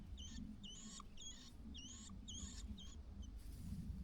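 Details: White-browed laughingthrush mother calling from outside the nest to coax her only chick out on its fledging day: a series of short, high, squeaky two-toned notes, about seven in four seconds, over a steady low rumble.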